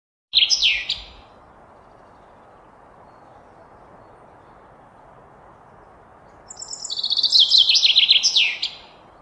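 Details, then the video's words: Common chaffinch song: a clipped phrase at the start, then a quiet gap, then a full strophe of bright, rapid notes that step downward and end in a quick flourish, over a steady soft background hiss. "Common chaffinch song"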